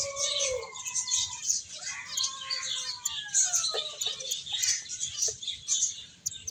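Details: Several finches, playing and eating, fill the air with rapid high-pitched tweeting. Lower, smooth gliding whistles sweep up and down beneath the chatter in the first half.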